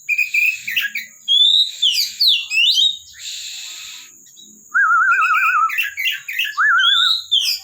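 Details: Caged Oriental magpie-robin (kacer) singing varied phrases: sharp downslurred whistles and twitters, a short hiss of noise, then rapid trilled, wavering notes repeated twice; faint high background tone throughout.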